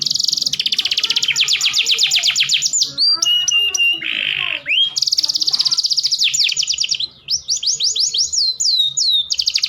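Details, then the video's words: Canary mating song from a breeder, used to hasten pairing and lift males' breeding drive: extended rapid high trills, swooping slurs, a harsh rasping segment, more long trills and upswept whistles, continuous and loud. "Kicauan Kenari Kawin Paling Ampuh Menaikkan Birahi Pejantan Loyo"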